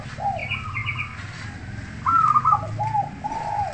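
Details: Zebra dove on a song-training recording: soft, rounded cooing notes with a brighter whistled phrase mid-way, over a low rumbling background.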